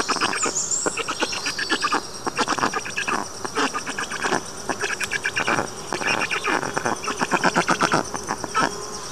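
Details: Black stork nestlings screaming at the nest as the father flies off, the youngest chick's voice among them, captured by a nest camera running day and night. Continuous dense rasping, buzzy pulses, overlapping and steadily repeated.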